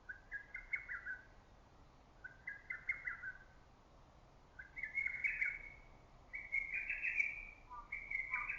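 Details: Lesser cuckoo in green early-summer forest delivering repeated rapid, jerky phrases of sharp notes. The later phrases grow louder and more strident, with a short extra burst at the end.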